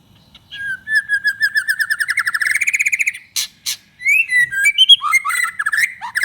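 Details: White-rumped shama in full song, used to provoke other shamas into singing: a long run of rapid, evenly pulsed notes climbing slowly in pitch, then sharp clicks and a burst of varied whistled phrases.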